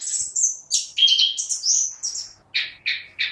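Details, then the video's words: Orange-headed thrush singing in a lively, vigorous way: high whistled phrases sliding and dropping, then short buzzy rich notes repeated about every third of a second near the end. "Burung Anis Kembang GACOR"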